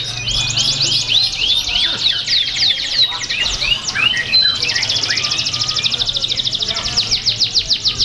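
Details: A competition canary at a songbird contest in Pringsewu, Indonesia, on 22 September 2019, sings continuously, mixing high rapid trills, sweeping whistled notes and fast rattling rolls, with faint background hum and chatter.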